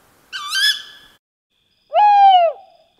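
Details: A tawny owl that flew in and perched in a forest reserve in Warsaw on a warm, windless, full-moon evening, 24 February: two harsh, nasal calls about a second apart, a wavering note then a longer rising-falling screech.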